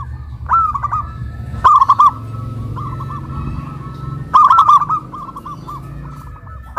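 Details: Loud duet of local zebra doves, deep-voiced and crystal-voiced, caged atop a hoisting pole in Kuningan, West Java, Indonesia: three bursts of quick rolling coos, the second bird's softer repeated notes filling the gaps over a low rumble.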